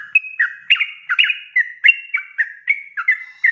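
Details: Sooty-headed bulbul (trucuk) singing fast 'ropel' song used to train cage birds: a burst of chattering, slurred whistles, several notes overlapping, then evenly spaced liquid phrases.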